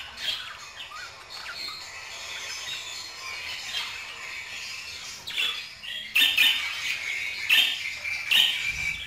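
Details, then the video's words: A budgerigar twitters softly at first, then gives several loud, sharp high squawks with clicky chirps in the final three seconds. "اصوات طيور البادجي"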